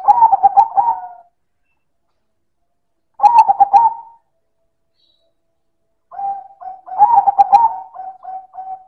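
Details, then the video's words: Zebra dove of the silver variety performing loud manggung cooing: three phrases about three seconds apart, each a rapid chuckling string of soft notes ending in a drawn-out coo, the last introduced by short spaced hoots and trailing with them. "Suara Perkutut Silver - Manggung Keras dan Istimewa"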